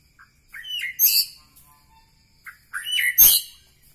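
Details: White-rumped shama from Medan Bahorok delivering two brief bursts of bright, high chattering notes separated by a pause, with a sharp click in the second burst.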